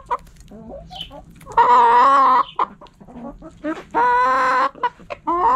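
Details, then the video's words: Backyard hens feeding, giving two loud drawn-out harmonic calls about a second each, separated by softer short clucks and scratchy sounds. "Hens Clucking"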